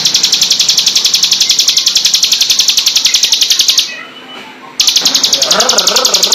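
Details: Bar-winged prinia (ciblek gunung) song for bird training, in the rapid 'full tembakan' style: dense, high, buzzy notes repeated nearly four times a second, with a brief break in the middle.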